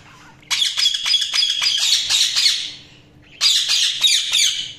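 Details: Budgerigar chirping: two loud bursts of rapid, buzzy warbling chatter, the first about two and a half seconds long, then a brief pause before a second shorter burst, over a faint low hum.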